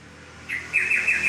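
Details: Trocok or yellow-vented bulbul: a couple of short bubbly note groups, warbling and slightly descending, heard clearly over a quiet background.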